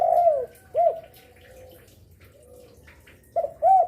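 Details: Lure spotted dove, said to call eagerly midday to night; a long falling coo and a short arched note, a long quiet gap, then a stuttered start and another arched coo.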